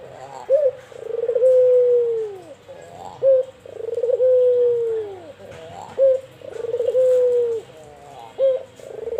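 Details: Albino white collared dove, kept as a cage bird, cooing steadily: a short clipped note followed by a long drawn-out descending coo, the pair repeated about every two and a half seconds against a quiet background.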